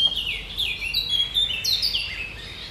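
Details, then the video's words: Great reed warbler singing on 1 July 2020, a sharp, chattering song: loud, rapid run of squeaky, scratchy notes and grating phrases, jumping between pitches in quick succession, with no other sounds prominent. "Trzciniak - Jego ostre, szczebiotliwy śpiew"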